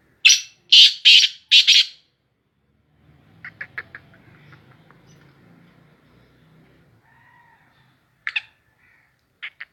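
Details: Black francolin calling: three loud, harsh, broadband notes in quick succession within the first two seconds, a quiet low murmur in the middle, then a few short sharp notes near the end.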